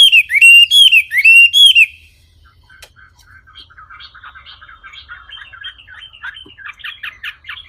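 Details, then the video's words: Wambi song: four loud, clear whistled phrases with a downward-curving shape, each about a third of a second long, over the first two seconds, then a faint, rapid, twittering chatter continuing quietly to the end. "Kicau Burung Wambi Jernih"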